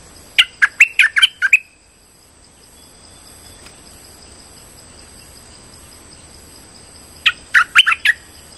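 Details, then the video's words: Streak-eared bulbul lure call used for trapping. A quick string of about six sharp, chattering chirps is followed by a long quiet gap with faint hiss, then another similar burst of bright notes. "Suara pikat merbah lekir gacor"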